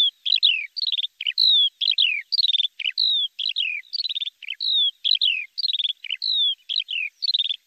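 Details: Lark song in a steady rhythm: phrases of a dropping whistle followed by a short buzzy trill, repeated again and again with short breaks, high-pitched and clean.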